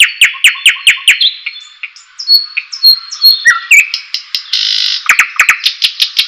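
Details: White-rumped shama song for training and arousing a bird: rapid repeated high chips, thin sustained whistles, a buzzy burst, then another quick series of sharp notes.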